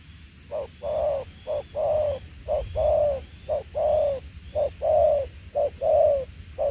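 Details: Spotted dove cooing in the 'đồng tiểu liên nước' style: low, hollow coos in short-then-long pairs, the long note sliding slightly downward, repeating about once a second in a steady rhythm, with faint higher bird chirps behind.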